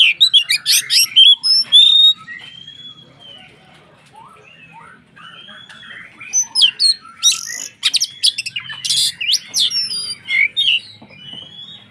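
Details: White-rumped shama in loud form, song meant to provoke other shamas into singing; loud bursts of harsh chips and whistles at start and middle, softer sliding whistles between.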